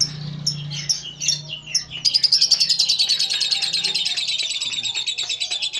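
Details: Short ngekek from a lovebird: scattered high chirps open, then at about two seconds a fast continuous chatter of rapid buzzy notes, roughly three or four a second, runs unbroken to the end.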